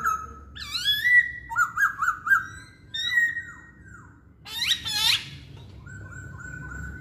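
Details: Chinese hwamei song: loud, varied whistled phrases, some rising and some falling, mixed with short high chirps and rapid buzzy notes, in quick bursts with brief pauses between them.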